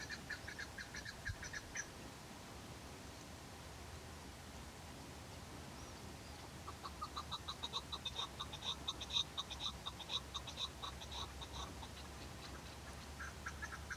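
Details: A wild chukar in the mountains of Pakistan gives harsh, clucking chuck notes in a quick, steady series, about two per second, that build in the second half over a constant low rumble.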